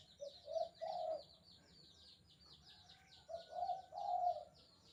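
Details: Spotted dove giving a lively kuk 2 style calling song, used as a master recording for training doves: low mellow coos in paired phrases with a pause between, while another bird chirps rapidly and continuously in a much higher register.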